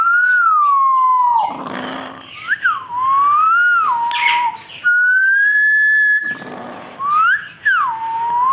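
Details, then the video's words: A pet African grey parrot gives long, pure, wavering whistles that slide down and rise again, in several drawn-out phrases with short breaks. "whistling African grey parrot"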